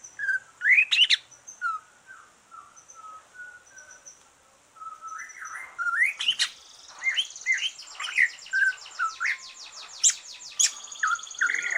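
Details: Green leafbird that has just finished moulting, singing to stimulate other leafbirds: varied whistled phrases and sharp chirps, a quieter run of low flat notes mid-way, then dense buzzy trills and rapid high chatter.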